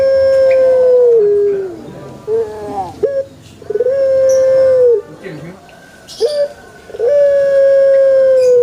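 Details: Repeated Pelung chicken crows about every three seconds: long even tones that dip at the end, with clucking broken notes and a faint voice between them.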